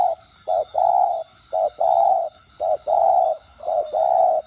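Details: Spotted dove cooing in the 'đồng gù + thúc' style, used to provoke captive doves into calling: short hoots alternating with long mellow coos in rapid succession, with a constant high pulsing buzz behind.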